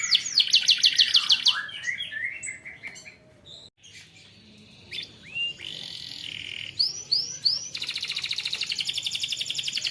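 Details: Canary training song for young birds: a quick chattering trill, scattered whistles and a brief pause, then rising arched notes and a closing fast metallic roll.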